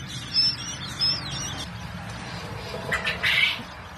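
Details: Three-day-old quail chicks: a few thin, high chirps early on, then a brief, louder cluster of sharp, high-pitched peeps near the end, all over a steady low background hum.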